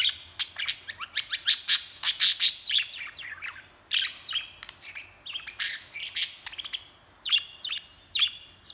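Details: Budgerigar chattering and talking, recorded handheld: a dense stream of rapid clicks, tweets and short warbling whistles, roughly two notes a second, uneven in loudness, with faint low hum in the background.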